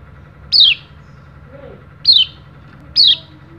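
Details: Oriental white-eye, a Balinese trainer bird used to coax quiet birds into calling, giving three separate sharp descending whistled notes, each sliding down steeply, spaced about one to one and a half seconds apart over faint background hum.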